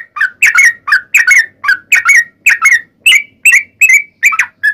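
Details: Fighting-style long rapid song of a Yellow-vented bulbul, meant to draw other bulbuls into answering; paired and triple chirpy whistles, some rising, others falling, repeated in quick irregular bursts.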